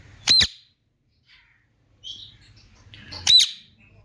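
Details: Indian ringneck parakeet letting out two sharp, harsh screeches about three seconds apart, with faint chatter and low rumbling between them.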